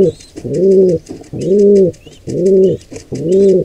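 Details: Wild pigeons at a nest where an intruder pair attacks a squab: deep, low cooing notes in a steady series, each about half a second long, repeated roughly once a second, with faint higher chirps in the background.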